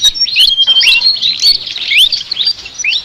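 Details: Chattering sikatan flycatcher song described as very unique: high thin whistles and rising slurred chirps in an uneven run of about two notes per second, bright and squeaky.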